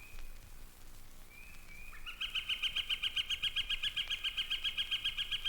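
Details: Yellow-shafted Flicker (Northern Flicker) at Mountain Lake Sanctuary, Lake Wales, Florida, gives a long, even series of loud, ringing notes, about four per second; a faint rising whistle comes just before.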